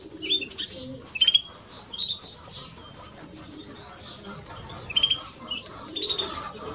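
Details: Male and female European greenfinch: short high chirps and twittered notes in separate bursts, some in quick doublets, with a quieter stretch in the middle.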